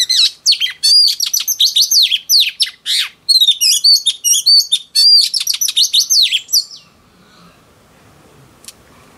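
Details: Female oriental magpie-robin, newly caught from the wild, in song meant to excite males. Rapid bursts of varied whistles, trills and scratchy notes pour out for about seven seconds, then fall to near silence with faint room noise.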